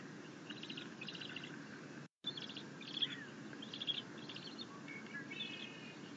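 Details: Bald eagle eaglet at a nest being fed a fish by its mother after trying to feed itself on a rabbit, a happy chittering; soft high chirps in short clusters over a steady background hiss, with a brief dropout.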